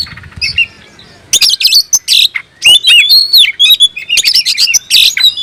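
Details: Kept kacer singing with raised emotion and open tail, summoning a rival: quiet start, then loud varied phrases of rising whistles, chattering and rasping bursts.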